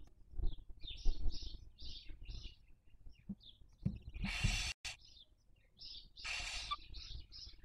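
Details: Barn owl at a nest webcam in Cabañeros National Park, Castilla-La Mancha, Spain, during the 2023 breeding season; two harsh, broadband hissing screeches about two seconds apart, set among many short high chirps and a low background rumble.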